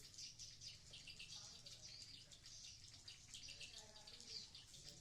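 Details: Swiftlets in a swiftlet house at Blokagung, Banyuwangi, East Java. A continuous wash of thin, high-pitched twitters and clicks from many birds, with a quiet low background hum.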